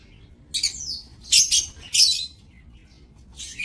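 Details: Aviary lovebirds, recorded 7 June 2024, utter three short, shrill screechy bursts about half a second apart, then a faint squeak at the end; the background is otherwise quiet.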